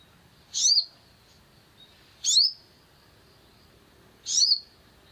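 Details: Long-tailed shrike, played to make another bird sing: three separate, harsh, high, downward-sweeping notes, about two seconds apart, in a quiet setting.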